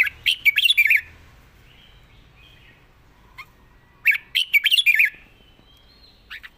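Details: Red-whiskered bulbul, praised for its gentle voice and pleasing phrasing, repeats a quick, chattering phrase of bright whistled notes twice, about four seconds apart, with soft faint notes in between.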